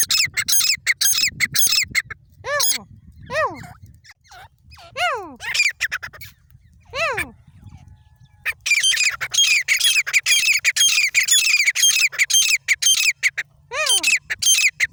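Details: Grey francoline giving loud, harsh, high-pitched repeated calls in long bursts, separated by several descending squealing notes, the bursts returning strongly toward the end.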